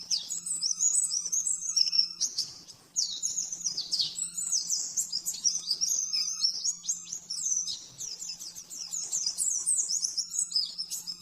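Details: Rapid 'nembak-nembak' master song of an oriental white-eye, meant for tutoring caged birds: a dense, continuous stream of very high, thin chattering and trilled notes with quick rising and falling slurs, briefly dropping away near three seconds; low hum behind.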